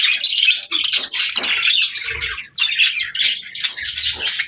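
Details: Pet budgies alongside lovebirds give quick bursts of bright, squeaky chirps and warbled chatter, tightly packed with only brief pauses between phrases.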